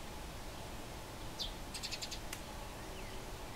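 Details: Wild Eurasian tree sparrows fighting around Bolesławiec, Lower Silesia, Poland: a single falling high chirp, then a quick rattling burst of harsh ticking notes lasting under half a second, faint over steady low background rumble.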